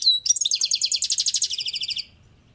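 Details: European goldfinch on a balcony giving a dense, rapid twittering trill of bright high notes, about twenty quick pulses in two seconds, with a short sharp chirp before it and quiet afterwards.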